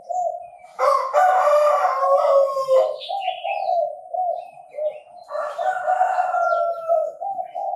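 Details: Chinese francolin heard where birds are trapped, giving two loud grating calls, each roughly two seconds long with rich layered harmonics, separated by a few seconds of steady low humming tone.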